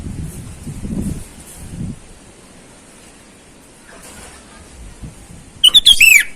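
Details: Sooty-headed bulbul calling rivals in the wild, a sound for luring wild birds: quiet rustles and soft noises, then near the end a loud phrase of quick whistles dropping into a slurred final note.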